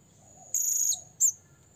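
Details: A blue-crowned hanging parrot calling a rival: a sustained shrill high note followed a moment later by a short sharp chip, over faint low background noise.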